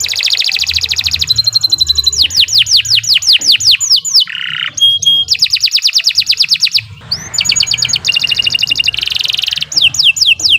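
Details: Canary song for tutoring other birds: long varied bursts of rapid trills and falling whistled sweeps, with a brief lower nasal phrase midway and a short pause before more fast rolling trills.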